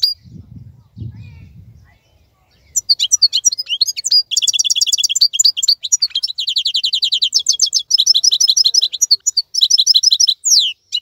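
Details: Wild-type 'khalawi' European goldfinch singing during the moult season while other birds are silent; after a low muffled thump, a long unbroken run of quick high twitters and nasal buzzy note series repeated rapidly.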